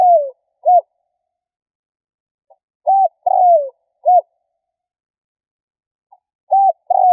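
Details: Spotted dove giving a provoking lure call: three-part coos, a short hooked note, a rough longer coo sliding down, then another short hooked note, repeated after pauses of over a second, with no background noise.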